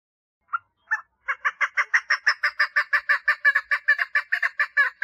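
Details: Female chukar partridge calling for mating: two separate harsh chuck notes, then a fast, steady run of about twenty clucking notes, roughly four per second, with no other sounds.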